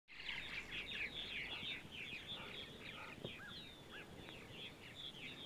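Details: Purple martins calling on a sunny Sunday morning in central Ohio: dense overlapping chirps and gurgling notes from several birds, busiest in the first two seconds, then continuing as scattered twittering with a few short rising whistles over faint background noise.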